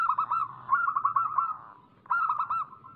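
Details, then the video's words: Zebra dove of a local strain, used as a lure for singing doves: a long rolling, warbled coo phrase fading away, then a second loud trilled phrase after a brief pause. "Suara pancingan burung perkutut lokal gacor"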